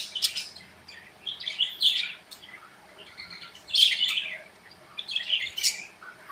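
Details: Pet budgerigars in an aviary chattering with high, scratchy warbles and chirps, bursts rising and falling every second or so, several birds calling together.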